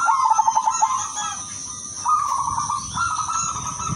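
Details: Female silver zebra dove calling to attract males, kept as a lure bird: a rapid pulsed cooing trill, then sustained level cooing notes returning twice, over a steady high-pitched whine.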